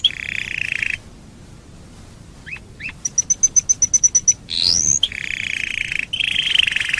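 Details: Domestic canary singing as a lure for fellow canaries: buzzy trill, a pause, two chirps, a steady row of sharp high notes, a rising whistle, then more buzzy rolling trills.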